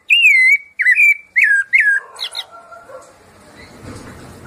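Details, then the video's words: Rufous-bellied thrush, sabiá-laranjeira, singing the 'piedade senhor' song type: four loud, clear whistled notes, each with a bend or flourish, then fading quieter notes in background hiss. "sabia Laranjeira - canto piedade Senhor"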